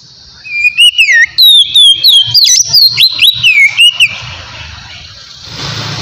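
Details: White-rumped shama in relaxed ngeplong song for luring wild shamas: a dense run of looping whistled notes and sharp ticks for about four seconds, then fading into soft background hiss and rumble.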